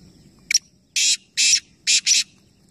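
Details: Calling competition of three black francolins at Nawabshah, Pakistan: a brief click, then a grating phrase of four buzzy, harsh notes, the final pair nearly joined; soft low rumble throughout.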